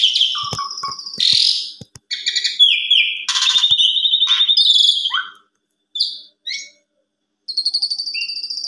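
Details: Asian pied starling afternoon lure song packed with fills for tutoring young birds: harsh chatter mixed with whistles, a long rattling trill, then a pause, scattered short notes and a high buzzy whistle at the end.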